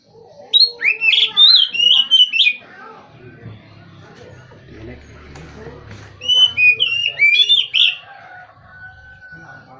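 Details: Loud whistled phrases from an Oriental magpie-robin, two separate bursts of quick rising and falling notes a few seconds apart, with quieter murmuring sounds between them.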